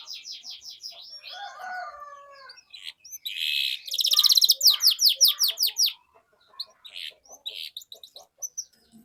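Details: Varied song of a canary, played as a lure for juvenile canaries learning to sing. Soft chirps and lower slurred notes lead into a loud, dense rattle, then a rapid series of sharp descending chirps and scattered calls.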